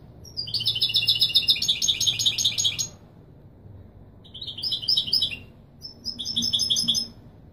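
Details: European goldfinch, Kobriya type, authentic Marrakchi Wedani song for tutoring chicks: one long rolling twittered phrase followed by two shorter chattering bursts over a faint low hum.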